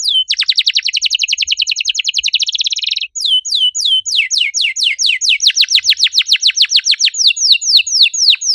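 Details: Canary song used as a lure to stimulate other canaries to sing: a fast, even trill of sharp downslurred notes for three seconds, then a slower run of repeated downward-sweeping whistles at about three per second.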